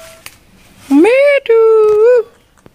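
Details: Kept rose-ringed parakeet (Indian ringneck) imitating human speech: one clear two-part phrase, the first part rising and nasal, the second a level tone, with rich harmonics. A quiet indoor room, otherwise still.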